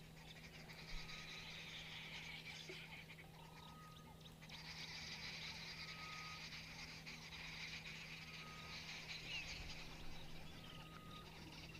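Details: Arrow-marked Babblers, grey birds hopping about, chatter in a harsh, raucous group chorus that surges in waves, on 27 November, over a steady low engine hum and a faint repeated thin note.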